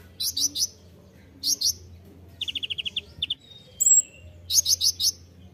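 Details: Ninja hummingbird, konin, in a master recording for training songbirds: short bursts of three to four high chips, a quick run of rapid notes, and a brief high whistle, separated by pauses.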